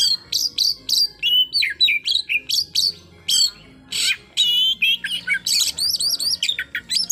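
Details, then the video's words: Provocation song of an Oriental magpie-robin meant to anger a rival bird: varied loud whistles, harsh chips and rapid trills in quick succession, packed with shooting-style bursts and almost no pause. "suara full tembakan...bikin emosi lawan"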